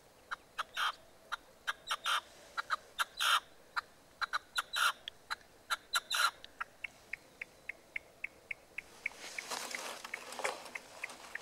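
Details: Common nightingale singing on 12 March 2015: a phrase of loud, harsh, closely spaced notes gives way to a long run of thinner, evenly repeated ticks, then a rushing noisy passage near the end.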